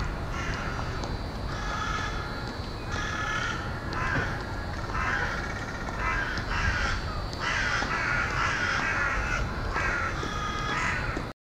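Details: Carrion crows arriving to roost at dusk, 17:44 on 20 February 2013, in a university woodland in Hull. Many harsh, hoarse caws overlap in a steady, irregular chorus, roughly one a second, over low-pitched rumbling background noise.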